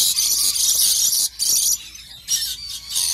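Lorikeet giving harsh, shrill, hissing screeches in four rasping bursts, the first about a second long and the rest shorter, with brief pauses between.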